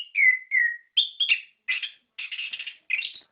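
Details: Orange-headed thrush song to stimulate caged birds: two falling whistled slurs followed by a burst of scratchy, chattering notes in quick groups.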